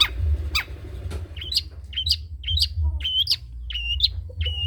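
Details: Trotol-type long-tailed shrike singing as a tutor for other songbirds. It gives a varied phrase of harsh, buzzy notes, then clear whistled notes that rise and fall, over low background hum.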